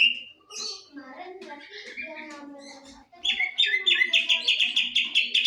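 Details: Greater green leafbird in breeding condition, kept bird, giving mixed lower warbled notes, then a loud run of rapid ringing high whistled notes repeated several times a second.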